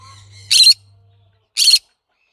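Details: Green-cheeked conure calling twice in quick succession, each note a loud, coarse, broadband screech about a quarter second long; faint chatter and a low hum before the first.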